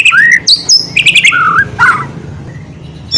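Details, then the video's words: White-rumped shama lure song for a chattering murai batu: a few looping whistles, a quick stuttered trill and a mellow low phrase, fading into soft background noise. "NGERIWIK JADI PLONG,,DENGARKAN KICAUAN MURAI BATU INI"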